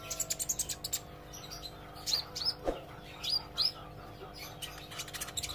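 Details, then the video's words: Olive-backed sunbird practising continuous song: rapid high ticks at first, then several louder sharp, down-slurred whistled notes spaced about half a second apart, over a low constant hum. "suara kolibri ijo belajar gacor & ngobra"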